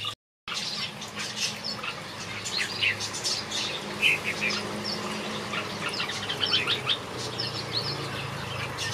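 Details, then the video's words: A flock of aviary finches in a backyard produces a constant twittering chorus: rapid high chirps, a few brighter whistled notes standing out, and a soft low rumble throughout after a short silent moment at the start. "Watch these finches sing a beautiful melody in my backyard"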